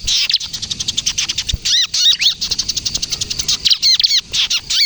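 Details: Kejepit song of a bar-winged prinia, locally ciblek kristal, used for trapping and to coax young birds to sing: pulsing high chirps repeated several times a second, with occasional looping arched notes.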